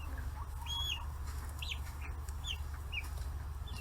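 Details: Free-range chicks aged 40 days crowd fish heads on a farm in Kitahiroshima, Hiroshima, Japan; spaced single high peeps, arched or falling, roughly one every half second, over a low steady drone.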